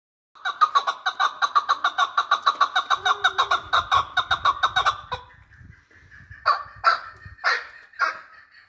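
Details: Chukar partridge from Qabodiyon, Tajikistan, giving a fast, regular run of chuck notes, about five per second, for five seconds, then a few louder, harsher separate calls after a brief pause.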